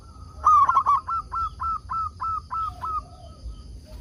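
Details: Local zebra dove kept as a lure bird to draw wild doves into answering; a stuttering burst of cooing notes, then about eight evenly spaced mid-pitched coos roughly every third of a second, with faint lower coos late.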